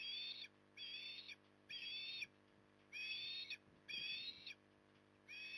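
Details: Feeding osprey at dusk in Port Lincoln, Australia, 9 October 2020, calling repeatedly: seven high, thin whistles, each about half a second, roughly one per second, with faint low thumps between.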